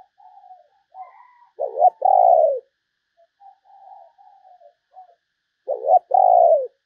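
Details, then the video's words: Decoy spotted dove calling to attract other doves: soft wavering coos alternate with two loud, low phrases, each a short bent note followed by a longer descending coo, about four seconds apart. "chim cu gáy kích bổi mới"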